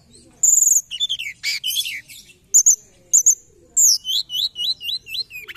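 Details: Forktail (mountain forktail) giving thin, piercing whistles and squeaky notes, ending in a quick series of short rising-and-falling chirps about three per second, used as a lure call.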